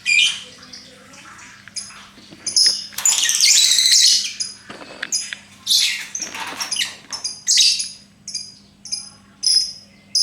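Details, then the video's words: Lovebird chattering with bursts of shrill, scratchy squawks and clipped high chirps, coming in irregular rapid runs with brief gaps. "Bagaimana cara agar Love Bird mau Ngekek"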